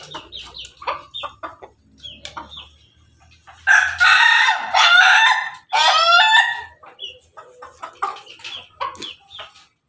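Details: Red ayam ketawa (laughing chicken) rooster crowing atop its coop: two long, loud, ringing bursts with a stuttering, laugh-like ending, among scattered clucks and softer calls from other fowl.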